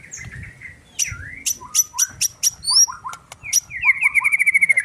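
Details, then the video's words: Agitated white-rumped shama song: high sharp notes repeated several times, then descending whistled slurs, ending in a fast rattling trill of evenly spaced notes; low background rumble. "MURAI BATU EMOSI"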